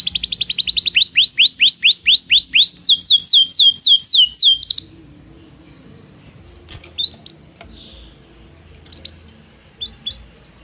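Belgian canary song: bright trills of fast, downward-slurred whistles that change speed and pitch phrase by phrase, followed by a few scattered high chips.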